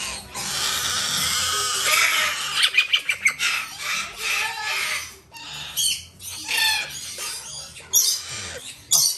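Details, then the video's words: Major Mitchell's cockatoo chicks, female and male, bred in Japan, calling while being hand-fed: a long harsh raspy begging stream, then rapid pumping pulses and scattered shorter rasping bursts. "クルマサカオウム 雛達へのさし餌"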